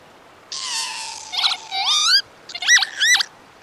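A Northern lapwing gives wheezy, slurred notes: a long drawn-out falling cry, then rising and up-and-down 'pee-wit' calls in quick succession over quiet background.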